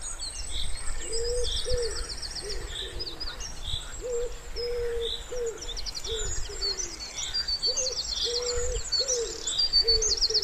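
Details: By a calm pond in spring, a wood pigeon repeats its low, breathy cooing phrase twice, each a run of short and sustained notes, while small birds trill and whistle high overhead.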